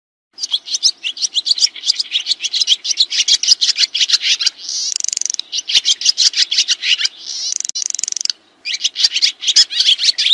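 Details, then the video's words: Swiftlet chatter used as a master recording for kacer and murai: long continuous high twittering with fast, irregular chirps, interspersed with two rapid buzzy clicking rattles and a brief pause near the end. "SUARA BURUNG SRITI"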